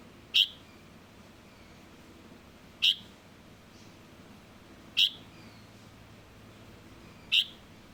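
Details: Four short, shrill single calls of a young Light-vented bulbul, repeated every two to two and a half seconds, each note sudden and brief, with low hiss behind.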